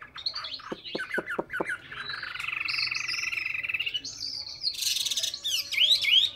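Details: Hwamei singing in Hà Nội, Vietnam: a quick run of sharp descending notes, then a long buzzy trilled passage, ending in bright rising whistles and a burst of hiss.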